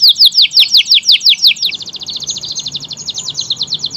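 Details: Canary song, local or AF/AFS bird in energetic variation: a series of sharp downslurred notes gives way to a fast, thin, buzzy high trill held for several seconds.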